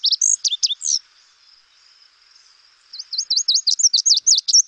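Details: Lazuli Bunting song from the Lake Tahoe area: a burst of high, sweet, slurred notes, a brief pause, then a fast run of paired swept notes rising toward the end, seeming to say "yuli" at the phrase's close.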